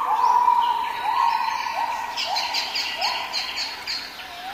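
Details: A plaintive cuckoo, a brood parasite that has sabotaged another bird's nest unknown to the host, gives a drawn-out whistle, then short rising whistled notes about once a second, with high thin chirps from other birds above.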